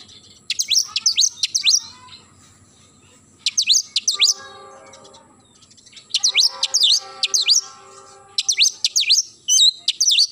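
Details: Morning song of an Oriental magpie-robin: clusters of three to four sharp high whistled notes that dip and rise, bursts coming every two seconds or so, with quieter lower warbling between.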